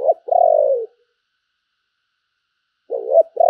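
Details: Spotted dove kept as a decoy, giving urging and calling coos: a short note and a long, slightly falling purring coo, silence, then a double coo returning.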